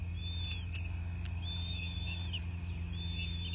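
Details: Nest-camera recording from southwest Florida, 26 February 2024 at 09:21: a bald eagle utters long, level, high whistled notes with short clicks between them, over a strong low droning rumble.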